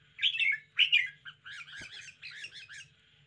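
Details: Caged red-whiskered bulbul in a lively, spirited display, singing bright warbled phrases: two loud chirpy bursts followed by a run of quicker, softer bubbling notes, over a faint low hum.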